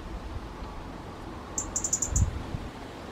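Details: Resident robin, agitated by two other robins close by, gives a brief burst of about six very high, sharp ticking notes in quick succession, over low rumbling background noise.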